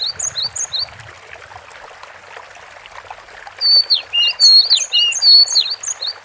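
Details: Cinereous tit song beginning with soft, quick high chips, falling quiet, then rising to louder ringing whistled phrases with downward-swooping notes, over a low background hiss.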